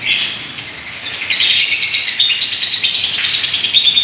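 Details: Paskun lovebird ngekek with a unique style: after a softer first second, a loud, sustained high rattling trill bursts in and carries on steadily with fast, buzzy chatter to the end.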